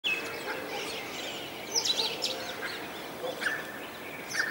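A partridge gives harsh, grating calls in short bursts about every second and a half, over steady background hiss and faint calls from other birds.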